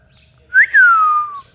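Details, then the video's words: Pet rose-ringed parakeet known as a talking ringneck: a single clear whistle that jumps up sharply, then glides slowly downward over nearly a second in a quiet room. "Ringneck talking parrot"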